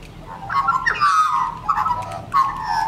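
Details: Australian magpies at a caravan park in Cobar, NSW, Australia, on 13 January 2019, begging for food and singing mellow, fluty warbling phrases in three gurgling bursts over about three seconds, over a faint low hum.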